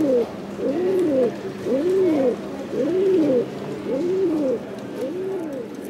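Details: Male silver barred Indian fantail pigeon, winner of the national Indian fantail cup at a poultry show in Woincourt, Hauts-de-France, 2022, cooing in low, rolling arched phrases repeated roughly every second, with a steady hum behind.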